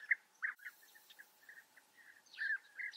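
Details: A few European bee-eaters at a colony in the Eifel, Germany; separate rolling, purring calls spaced out over three seconds, some louder close calls at the start and end, with quieter distant notes between.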